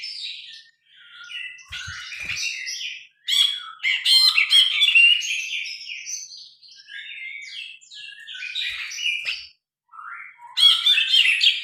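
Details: Grey-cheeked bulbul singing a long, varied, loud song on a phone recording: continuous tumbling harsh chatters, slurred whistles and buzzy notes, a brief pause, then another energetic burst.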